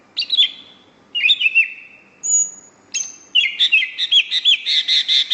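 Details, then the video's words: Greater green leafbird singing vigorously: downward-sliding whistled notes, a thin sustained high note, then a fast run of repeated chirpy notes; clean, quiet background. "BURUNG CUCAK IJO FULL GACOR"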